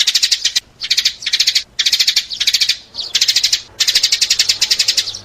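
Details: Sparrow calls for luring sparrows: quick chattering bursts of thin, high chirps, several short volleys separated by brief pauses.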